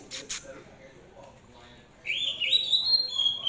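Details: Hand-raised Oriental magpie-robin starting a sweet whistled phrase after a brief click and quiet pause, the notes gliding upward then held and wavering.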